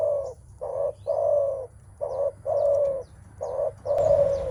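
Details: Male spotted dove cooing when meeting a rival, a sound made before a contest of strength, in Malaysia: seven low hollow coos of varied length in a steady series, with faint high chirps of other birds behind.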